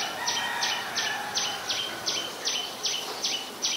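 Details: Adult common tailorbird, Ubon Ratchathani, Thailand, 2 March 2023: sharp, high, down-slurred notes, about ten in four seconds, at a brisk steady pace over a faint background hiss.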